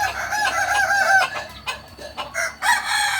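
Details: Crowing Kukuak Balenggek chicken at a Sunday practice gathering in Ampang Kualo: a bright, nasal crow for about a second, a short break, then clipped repeated notes, with crowd noise behind.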